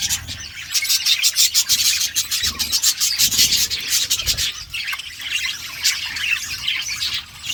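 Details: Several budgerigars in an outdoor aviary keep up a fast, rasping chatter of clicks and shrill chirps, loudest in the first half.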